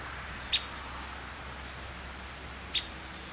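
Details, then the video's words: Female downy woodpecker being talkative, uttering two abrupt, high, clipped pik calls a little over two seconds apart, with an even background hiss. "Downy woodpecker being talkative"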